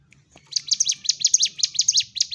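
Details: Sunda warbler in lively fighting-style song, used to provoke emotion in other birds that have stopped singing: after a brief quiet start, a fast run of high, sharp downslurred chirps repeated steadily for about two seconds.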